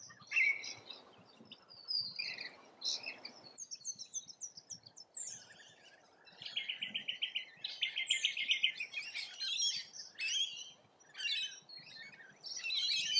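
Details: Rainbow lorikeets feeding in Australia give dense, shrill chatter. Scratchy squeals overlap with rapid buzzy trills that build in the second half, then brief pauses, then loud screeches again at the end.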